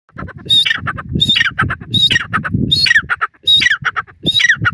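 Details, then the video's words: Francolin, known locally as Dakhni Teetar, calling in the wild: harsh, grating, rasping phrases repeated roughly every 0.7 seconds without a break, each with a shrill upper edge, over low rumbling background noise. "Dakhni Teetar awaz in the Wild,beauti full Francoline Bird Sounds"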